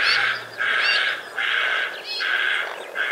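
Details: Australian White-faced heron, dated 2 January 2019, giving loud, raspy croaking notes in four long rough bursts, each a little over half a second, with a faint low drone.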